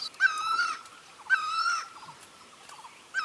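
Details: A great barbet (Psilopogon virens) calling for a mate gives loud, nasal, wailing notes, each about half a second long, repeated roughly once a second over a faint background hiss; rural setting.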